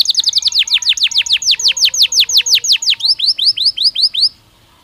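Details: Belgian canary singing naturally, a recording meant as daily stimulus for training: fast series of high, downward-sweeping whistled notes about three per second, shifting to a quicker, thinner phrase near the end before stopping.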